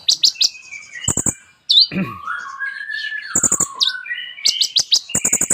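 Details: Sunbird called kolibri ninja singing a varied mimicry-laden song, with high chips, a long wavering lower whistle that rises and dips, and several crackling rattle bursts.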